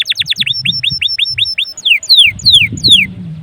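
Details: Pet canary song used to coax other canaries: a quick burst of falling notes, a steady series of curved chirps, then four long sweeping downslurs, with low rumbling noise behind.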